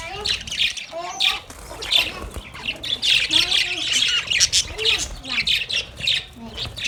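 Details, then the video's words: Caged budgerigars, happy and playing, produce a busy stream of harsh squawks and quick high chirps, several birds calling over one another with short gliding whistles mixed in. "Happy Budgies Chirping sound My Budgies play in Cage"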